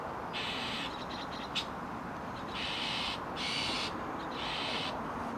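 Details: Chestnut-cheeked starling (Agropsar philippensis) parents raising young in Hokkaido, bringing food and carrying away droppings: four harsh, raspy calls of about half a second each, spaced irregularly, over a steady low background hiss.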